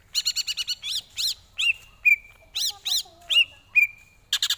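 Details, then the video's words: Song of a greater green leafbird as a tutor for training: loud sharp chip notes in quick series mixed with arching strident calls and thin whistled tones, clean background. "Lagunya Masuk ini Bos, Enak buat masteran"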